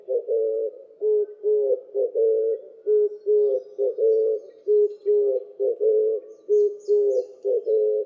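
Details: Oriental turtle dove (Streptopelia orientalis) song, recorded 12 August 2016 at Nikko, Tochigi, Japan: low, hoarse cooing phrases of several notes, repeated back to back in a steady rolling rhythm.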